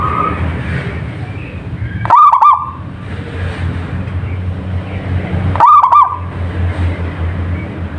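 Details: Local wild zebra dove repeating a short rolling coo twice, roughly three and a half seconds apart, over continuous low-pitched rumble and faint whistles.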